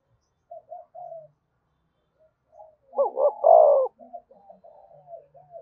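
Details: Spotted dove cooing, played to stimulate other doves to coo quickly: a few soft short coos, a pause, then a loud two-part throaty coo burst followed by a string of soft, low trailing coos.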